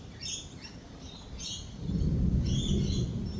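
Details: Lorikeet screeches at a cafe during a thunderstorm: a few short, high, grating bursts, then a deep rolling rumble of thunder swells beneath them and continues to the end.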